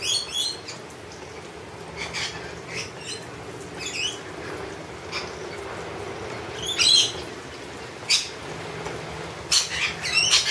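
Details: Shrill, grating squawks from wild lorikeets as they are spoilt with honey, coming in scattered bursts that grow louder and more clustered toward the end.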